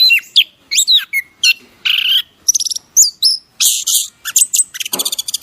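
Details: Bird singing in a masteran training recording, delivering a varied jumble of short chirps, rising and falling whistles and scratchy bursts, with brief gaps between phrases.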